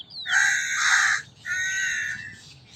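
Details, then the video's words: Crow giving two harsh, drawn-out caws, the first longer and louder, the second slightly shorter, separated by a brief pause; a faint thin whistle at the very start. "Sound of a Crow - Crow Cawing Sound Effect"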